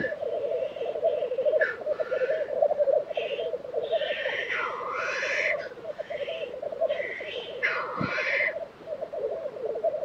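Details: Spring lek of black grouse at Tiveden, Sweden, April 2023: a continuous rhythmic bubbling rumble under repeated loud, rasping hisses and sneezing whooshes, several in quick succession mid-clip.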